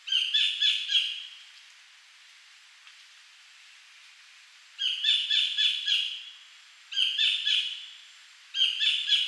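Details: A Collared Kingfisher at Bung Boraphet, Thailand, in 2011 gives loud, harsh bursts of four or five quick 'kek' notes, the bursts repeated every few seconds over a quiet background.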